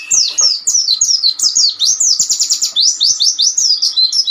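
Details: Ombyokan master song of Oriental white-eyes used to teach young birds: high, rapid chirping, slurred notes tumbling downward, with a brief burst of quick repeated ticks midway, steady and loud throughout.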